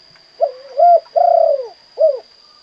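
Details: Kuk 2 song of a spotted dove: a single mellow cooing phrase opening with a short note, then a rising coo and a drawn-out vibrating coo, closing with one short note. A thin constant whine runs beneath.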